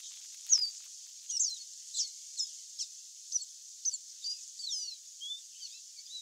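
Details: A wild chestnut seedeater (Sporophila cinnamomea) sings free in nature: a rapid series of high, sharp whistled notes and slurred chips, about two per second, over a steady background hiss.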